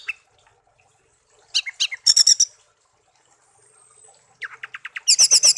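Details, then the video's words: Young-raised pet songbird, kept a year and tame, gives clusters of rapid, sharp high notes after a near-silent start, later a descending run of buzzy pulses and a loud rapid burst. "burung kicau peliharaan"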